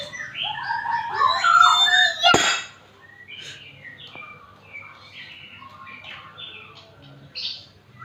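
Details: Magpie-robin singing while small children play around it; a loud rich burst of warbled whistles, then a sharp knock, followed by quieter, scattered short whistled phrases and a final bright note.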